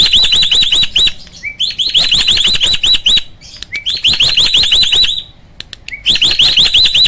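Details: Captive hybrid starling (Asian pied × black-winged) belting out a loud, harsh "roll tembak" song. Rapid trains of strident, arching squeals are repeated in long bursts, separated by brief gaps.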